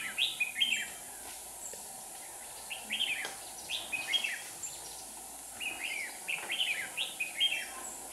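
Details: Red-whiskered bulbul singing as a lure bird at a trap set for wild bulbuls from Hòa Bình, with two decoy birds. Short warbled, chirpy phrases come in three bursts, each a quick run of rising and falling notes, over a steady low hum.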